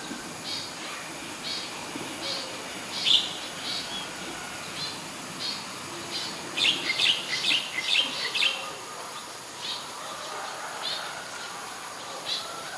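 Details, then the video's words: Ashy woodswallow at Ubon Ratchathani, Thailand, in late February 2022: spaced, sharp, buzzy notes, then a quick series of about six loud calls in a row before the notes thin out again. "นกแอ่นพง : Ashy Woodswallow"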